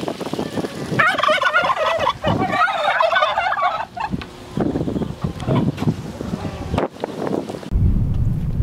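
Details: Domestic turkey males kept together on a farm in Paraná, Brazil, described as aggressive and prone to fighting; a loud rapid bubbling gobble lasting about three seconds, followed by wind noise and rustling.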